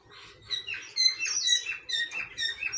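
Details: Cockatiels giving a busy tangle of high chirps and short whistled slurs that rise and fall, overlapping one another over a low background hum.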